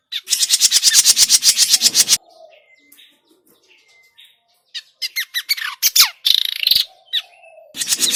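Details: Lure for trapping grey-cheeked bulbul, noisy: a long, rapid rattling chatter opens, then after a pause come sharp downslurred squeaks and more chatter.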